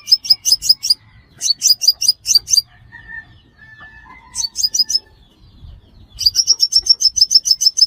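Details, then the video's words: Lure recording of a sunbird for trapping: quick runs of sharp, very high, flicking chips in repeated bursts, a long faint pause midway, then a longer fast series at the end. "Tiếng chim hút mật 5 màu"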